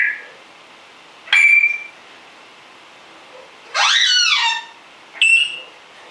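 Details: African grey parrot kept as a rescued house pet, whistling while its owner is out of the room: a clear level whistle, then a harsh, descending, harmonic-rich squawk and another short whistle, all separated by quiet pauses.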